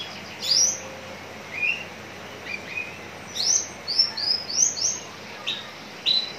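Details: Horsfield's bush lark singing, recorded at Citra Raya, Cikupa, Tangerang: bright, high chirps and short rising slurs in quick bursts, with a cluster of five notes in the middle, over faint background hiss.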